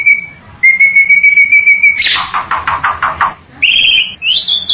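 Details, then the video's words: Bali myna giving loud, clear whistled notes, a steady tone held then repeated, followed by a run of rapid harsh chattering bursts and ending with higher rising whistles. "SUARA BURUNG JALAK BALI"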